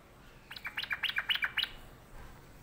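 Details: Sooty-headed bulbul, described as sulking, delivering one compact burst of about nine sharp, chirping notes at a rapid, even pace over about one second.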